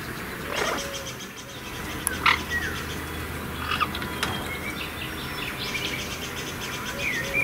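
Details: Blue-winged macaws after a bath give harsh, scratchy squawks in scattered bursts, with a few sharp clicks and a low background rumble.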